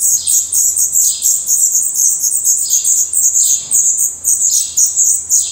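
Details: Nestling black redstarts in a Portuguese nest, eyes open and adult feathers coming in, keep up shrill high chirping, with louder downward-sweeping squeaks bursting out about every second.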